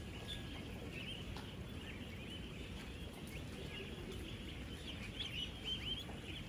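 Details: Thousands of young ducklings, ten days old, on a duck farm of 16,000 birds, interacting while they feed and drink. Countless thin, bright peeps stream without pause over constant low-pitched farm background noise.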